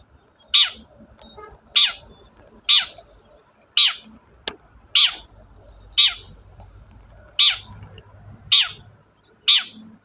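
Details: Long-tailed shrike, a lively 'gacor' bird, used as a lure to prompt a shrike that will not sing. Harsh, rasping notes sweep sharply downward and repeat about once a second, ten in all, over faint low background rumble.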